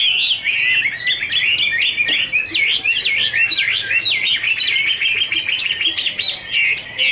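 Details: Chinese Hwamei (Garrulax canorus) singing a loud, rich warble of rapid whistled phrases, sliding up and down without pause, while dancing and fluttering its wings; a second bird seems to join in a duet.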